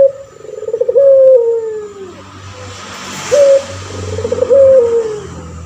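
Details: Male puter pelung turtle dove kept as a training tutor for other birds gives two full coos. Each has a quick high start, a throbbing trill and a long downward-sliding note, with soft background noise between them.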